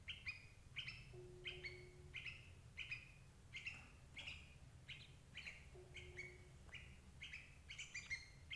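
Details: Sooty-headed bulbul calling, played to trap adult birds: a long, steady series of clipped bright chirps, about two per second, with twice a faint humming tone underneath and low background rumble.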